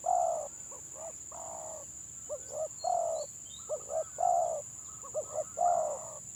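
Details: Stuttering-style (gagap) song of a village spotted dove with a broken collar, in a head-to-head match: repeated phrases of short choppy coos and longer rounded coos, about four phrases, over a steady high-pitched whine.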